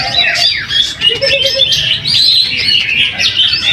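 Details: Greater green leafbird, first-place winner at a weekly practice singing contest (latber) in Trowulan, Mojokerto, East Java. Rapid high whistles and chattering phrases pour out continuously, overlapping with other contest birds and a few lower notes.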